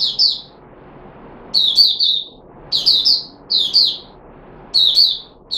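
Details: Caged red-whiskered bulbul on 13 April 2021 in a feeding experiment gives clear, bright three-note chirping phrases about once a second, with quiet hiss between them.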